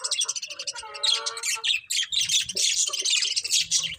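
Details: Colourful budgies chattering continuously, a loud busy stream of high scratchy chirps with a few warbled whistled phrases near the start.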